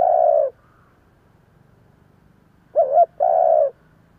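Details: Spotted dove used as a lure bird, cooing in 'giọng thổ' style; one long coo at the start, then after a pause a quavering short note and a drawn-out low coo.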